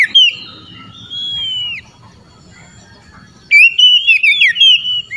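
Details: Oriental magpie-robin calling out rivals, which respond: a long, drawn-out descending whistle, then after a pause a loud, rapid series of warbled, sliding whistled notes.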